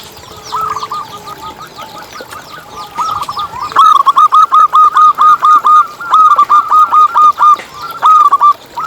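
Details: Local zebra dove singing, used as a lure to get other zebra doves calling: rolling series of quick staccato cooing notes, starting softly, then louder bursts repeated steadily for several seconds, with a faint lower tone early on.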